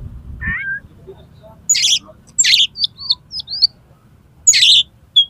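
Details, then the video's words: Oriental magpie-robin spreading its tail and daring another magpie-robin to fight, singing mimicked phrases: a falling whistle, loud grating bursts and short twisting high whistles, with a brief low thump at the start. "KACER MUNTAH ISIAN !!! MENANTANG KACER LAIN AGAR MAU TARUNG BUKA EKOR"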